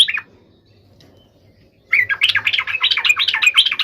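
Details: Bulbul's bubbly fighting song, played to provoke other bulbuls into answering: one brief note, over a second of near silence, then a dense, lively run of warbling chattery notes that continues to the end.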